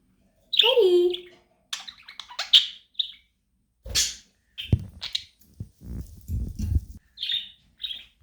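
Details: Budgerigar chirping indoors, said to help a lonely budgie become active; opens with a loud harsh squawk, then scratchy chirps and short warbles mixed with lower rumbling sounds in the background.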